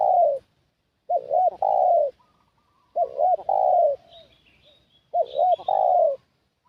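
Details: Spotted dove luring wild doves with its decoy coo. Three-part phrases of two brief looping notes and a long flat note come roughly every two seconds. Thin high chirps from other small birds are heard faintly.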